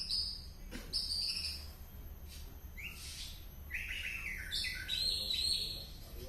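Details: White-rumped shama from Penaron in East Aceh singing an odd song: high thin notes followed by short rising whistled phrases and buzzy trills, fairly faint against background hiss.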